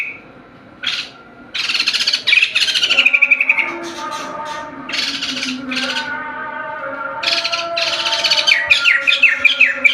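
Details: Singing white-crested laughingthrush: a short note, then raspy broadband bursts and a rapid whistled trill. More harsh chattering phrases close with a run of quick descending chirps over a steady low drone.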